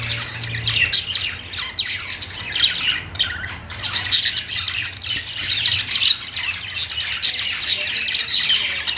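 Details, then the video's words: Pet budgies singing in a busy, grating chorus of squawks and high chirps, growing denser and louder after the first few seconds, with a low hum at the start. "Singing budgie | budgies sounds"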